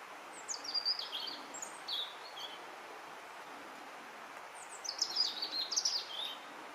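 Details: Wild European robin singing: clear, high, sweet warbled phrases of fast descending and rising notes, a short phrase first and then a longer tumbling one after a pause, with gentle ambient hiss behind.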